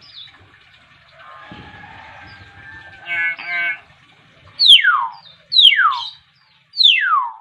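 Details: Chatty young Nias hill myna learning to talk, Nias island, North Sumatra: a raspy, speech-like babble, then three loud, sharp whistles sweeping steeply downward, each about a second apart, with a person greeting nearby.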